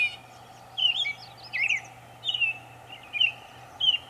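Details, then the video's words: Northern mockingbird singing in Savannah, New York on 23 May 2021, giving many varied sounds: short slurred whistled phrases near mid-high pitch, about five bursts spaced roughly every 0.7 seconds, with a steady low hum underneath. "Northern mockingbird Mimus polygottos video, making many sounds"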